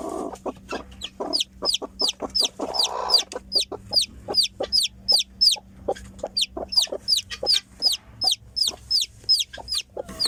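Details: Newly hatched domestic chicken chick peeping steadily: piercing, downward-sliding cheeps repeated almost three times a second without pause, with soft lower taps and a faint steady hum beneath.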